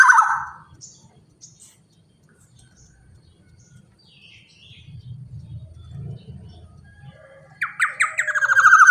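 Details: Black-naped oriole, big-bodied and calling eagerly as a lure for other orioles, opens with a short harsh nasal burst. A long quiet gap with low rumble follows, then a second loud, rasping, descending call.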